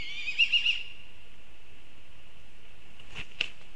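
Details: A black kite in Kurzeme, Latvia gives a high, quavering whinny that holds steady and then fades over about a second, followed by two brief sharp knocks.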